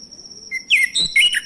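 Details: Male orange-headed thrush, a lure to trigger other thrushes into singing: a thin whistle, then three bright warbled phrases with sharp high overtones, over a steady high-pitched hum.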